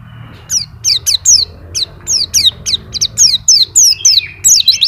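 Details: Continuous white-eye song displaying its fill of phrases: a run of thin, high, downward-slurred notes, about three or four a second, uneven in spacing, with low background hum.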